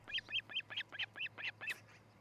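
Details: Osprey at a nest in Charlo, Montana, recorded by a nest camera on July 13, 2018, shortly after 6 a.m.: a rapid series of eight short, whistled, down-slurred chirps, evenly spaced about four per second, with a steady low hum behind.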